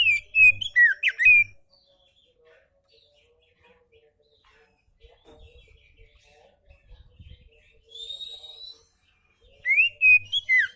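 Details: Relaxed oriental magpie-robin song for training magpie-robins that rarely sing: a burst of rapid whistles and chips, a long near-silent stretch with faint low thumps, one high held whistle, then another quick burst of slurred notes.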